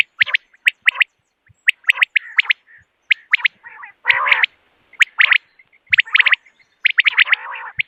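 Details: Morning calls of common quail, used for hunting: crisp, sharp pulsed notes in rapid clusters of two to four, mixed with a few short nasal buzzy bursts, on a quiet background.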